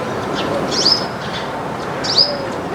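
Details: A Baya weaver flock eating grains in a backyard gives two crisp, high downslurred chirps about a second apart, with soft background noise.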